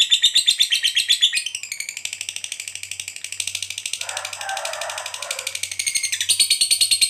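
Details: Lovebird, described as a lively fighter type, giving a long 'ngekek panjang' chatter used as a lure to provoke other lovebirds into answering. A fast, shrill, continuous rattling chatter of rapid pulses runs unbroken for about seven seconds, with a fainter rasping layer midway.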